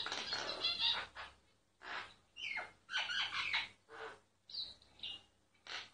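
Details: Secretly recorded singing myna: loud harsh bursts alternating with short pauses, whistled and rasping notes mixed together, a brief high whistle near the end.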